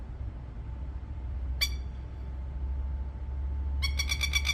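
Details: Australian plover, heard around a baby plover that is ignoring its mother: one sharp, harsh note, then a rapid rattling burst of about six notes, over steady low wind rumble and a faint hum.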